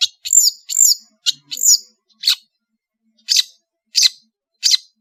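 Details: Long-tailed shrike from Madura, varied song: a few high whistled notes that slide downward, then single sharp, rasping chirps spaced about two-thirds of a second apart.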